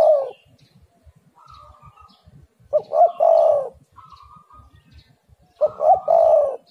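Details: Spotted dove (derkuku) singing, played to lure and prompt other doves to call. Low, hollow coos come in rounded, stuttering phrases: one at the start, then two fuller bursts about three seconds apart. Faint, steady higher tones sit between phrases.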